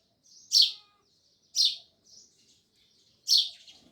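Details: Close, loud sparrow chirps: three harsh, bright notes with a pause of a second or more between them, in quiet surroundings.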